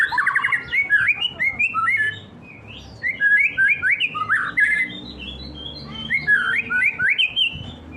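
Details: Caged white-rumped shama singing to agitate a rival: loud, varied whistled phrases with rapid rising and falling notes, delivered in bursts of about two seconds separated by brief pauses, over a low steady background hum.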